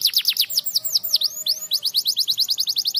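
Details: Canary song aimed at getting silent canaries singing again: brisk falling whistles, a couple of swooping V-shaped notes, then a fast even series of short rising chirps.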